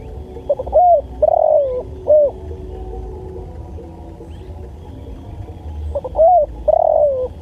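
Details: Spotted dove (tekukur) song recorded for training and luring: two phrases about five seconds apart, each of short clipped notes leading into a longer falling coo, over a faint low background hum.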